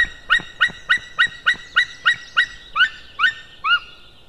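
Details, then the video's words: Male white-tailed eagle calling in the early afternoon of 15 May 2016: a series of about twelve yelping, barking notes, evenly spaced then slowing and dropping slightly in pitch toward the end. "merikotkas MaleCalls"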